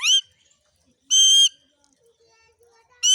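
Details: Indian ringneck parrot from a village in Mewar, India, chirping in a very happy mood: loud, harsh, harmonic-rich screeches about a third of a second long, three calls spaced roughly a second apart with near silence between.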